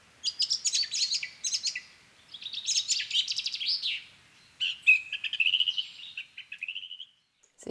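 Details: Song thrush song mixed with a singing chaffinch. Bursts of high, rapid chattering notes in quick clusters, followed by a clear whistled note leading into a trill that slowly falls away, and a low thump at the end.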